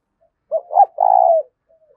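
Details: A single spotted dove phrase in the 'thúc' luring style: a quick low note, a second stuttered note, then a sustained, slightly falling coo lasting about half a second.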